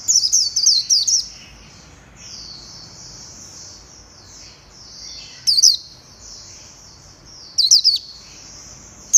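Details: White-eye song from 11/7/2021: continuous high, thin warbling interrupted by clusters of sharp, loud chirps at the start, middle and end.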